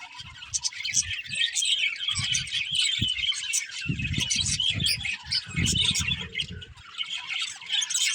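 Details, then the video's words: Budgerigars chirping: a dense, continuous chatter of high, scratchy warbles and twittering notes, with soft low thumps and bumps underneath at intervals. "Cute Budgies Chirping Sounds"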